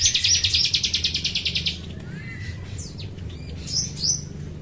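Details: Chestnut-capped thrush sound played as a lure to make birds respond: a fast buzzy rattle of about fifteen pulses that slowly fades, then a soft rising whistle and a few high slurred notes over a steady low rumble.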